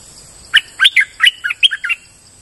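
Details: Single lively phrase of a streak-eared bulbul used as a lure sound, about seven quick liquid chirps, each slurred up and down, tumbling over one and a half seconds against a faint constant high whine.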